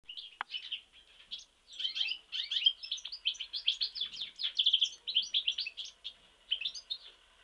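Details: European goldfinch from Mostar singing a fast, continuous twittering song of high tinkling notes and buzzy trills, unbroken for most of its length, with one sharp click near the start.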